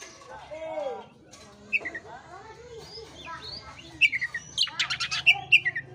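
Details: Oriental magpie-robin lure song meant to spur a listless bird into singing: varied slurred whistles, then a dense run of sharp, buzzy chips and high bright whistles in the last two seconds, with fainter warbled notes and a low hum behind.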